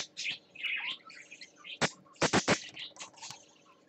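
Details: Parakeet on swings, streamed live 20 December 2014: scratchy chirps and a rising warble early on, then a cluster of loud sharp clicks or taps, with softer chatter continuing after.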